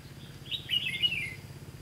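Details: A single brief, rich warbled phrase from a red-whiskered bulbul, rising then falling, recorded while trapping bulbuls on 18 September 2016. Low background hum.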